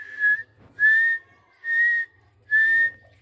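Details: Captive white Dhakni teetar (partridge), a rare variety, calling: four loud clear whistled notes near one pitch, each about a third of a second long, repeated roughly every 0.8 seconds, with a low hum underneath.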